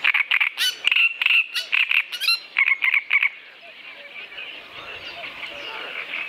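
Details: Great Reed Warbler (Acrocephalus arundinaceus) song: loud, harsh, grating notes repeated in rapid bursts for about three seconds, then fading into a quieter, distant chattering with background noise.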